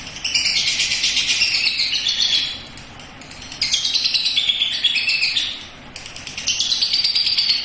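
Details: Young lovebird still learning its song, tried out on a house terrace in the long chattering ngekek style. Three dense bursts of rapid, scratchy, high chatter, each about two seconds, separated by short pauses; no other clear sounds.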